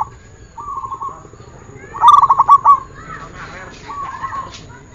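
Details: Training recording of a zebra dove, called perkutut locally. A loud phrase of about seven staccato coos stands out, with softer, similar phrases before and after it.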